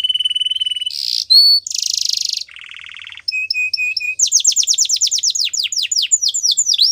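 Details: Canary song used to train birds: steady buzzy trill, harsh rasping bursts, a lower rattling roll, evenly spaced short whistled notes about four per second, then fast descending whistled trills.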